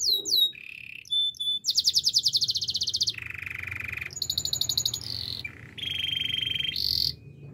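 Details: Domestic canary singing a training song: a rapid sequence of distinct high tours, including sharp descending notes, a flat whistle, buzzy rolling trills, a lower rattling trill, and bright clear notes. Each phrase changes abruptly to the next, with no other sounds.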